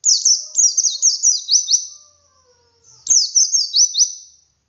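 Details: Wild white-eye singing in the ngalas style with a 'wit wit' variation, used to prompt captive birds to sing. Two bursts of rapid, high, thin whistled notes, each sliding downward, the first lasting nearly two seconds and the second shorter, with a pause between.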